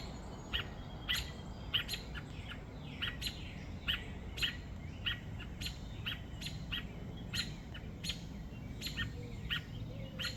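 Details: Robin crying on a sad morning after a crow took its two chicks: sharp, high chip notes repeated irregularly every half second or so, fairly faint over a low outdoor rumble.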